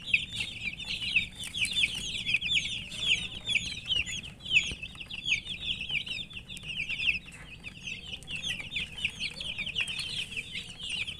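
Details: A crowd of coloured domestic chicks calling out of thirst for drinking water, their piercing high chirps tumbling over each other nonstop, loudest early and gradually thinning slightly toward the end, with low hum underneath.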